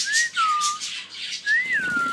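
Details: Pet Indian ringneck parakeet mimicking speech in a small room, producing long pure whistled tones that rise, then glide down and level off, with a second rising-falling whistle after a short pause; a person speaks nearby.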